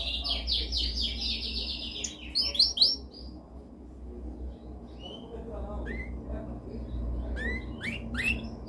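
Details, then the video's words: Canary song for training, called the most dominant: an opening burst of rapid trilled notes and rising slurs, then sparse, isolated chirps and short whistles over low hum. "Canção mais dominante de canary para treinagem."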